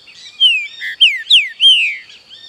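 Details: Song of a green-winged saltator set against forest sounds, a two-second run of rich whistles, slurred downward, with a short low burred note early on and a constant high background drone.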